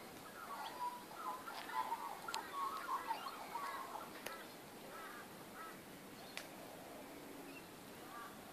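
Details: Magpies in a backyard, recorded 19 April 2014: a noisy burst of harsh, overlapping warbled and chattering calls in the first four seconds, then quieter scattered notes over steady background hiss.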